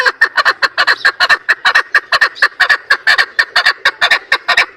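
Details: Female chukar partridge calling, a recording used as a lure for trapping birds: a rapid, steady series of harsh chucking notes, about two per second, each short and clipped, with no other sounds.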